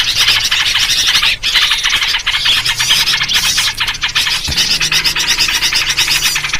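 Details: Lure recording of noisy yellow-vented bulbuls for bird trapping: a steady, crowded wall of overlapping chirps and chatter with one short break and a low thump partway through.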